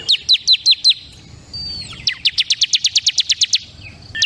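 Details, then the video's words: Bar-winged prinia (ciblek kristal) song: five quick high chirped notes, then a thin whistled slur and a fast run of about fifteen sharp repeated notes, roughly four per second. "SUARA CIBLEK KRISTAL PALING GACOR"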